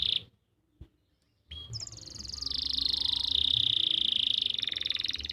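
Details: Canary song from Pati, Central Java, for stimulating silent or young birds: a short trill, a pause with a click, then a long rippling roll holding steady pitch, ending in a faster pulsed rattle.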